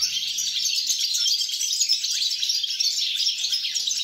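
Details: Continuous goldfinch song dated 29 December 2022: tinkling, chattering notes run together at a high pitch, with brief faint low knocks at the start and a steady low hum.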